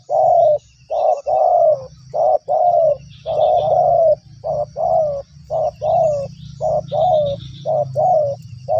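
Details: Spotted dove responding to a lure in two yards, calling nonstop: rapid, almost continuous low hoarse coos, short and long notes alternating, over a steady low rumble.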